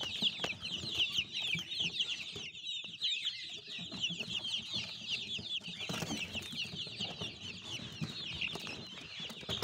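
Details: Many baby chicks peep continuously. Rapid, high, chirpy downslurred notes pile up into a busy chorus, with light rustling and tapping underneath.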